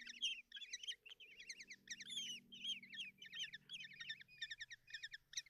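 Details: Common kestrel nestlings being fed at a nest box in Tiszalök, Hungary, on June 30, 2024: repeated bursts of harsh, wavering chitters and squeals, several callers overlapping, with a soft low hum behind.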